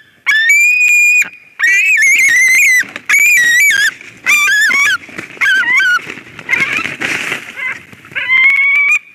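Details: At a Latvian White-tailed eagle nest in Durbe, 13 August 2023, harsh whistled yelps sound as a ringed intruder flies in. Long cries and quick wavering notes alternate, with a brief rough, noisy burst near the end.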